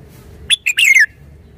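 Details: Short song phrase from a caged red-whiskered bulbul: two clipped notes followed by a bubbling whistle sliding downward, with low background rumble.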